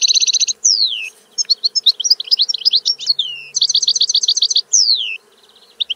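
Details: Song of the European goldfinch: buzzy rapid trills alternating with clear descending slurred whistles and quick chattering notes, a melodious mix of trills and warbles, ending in a brief pause.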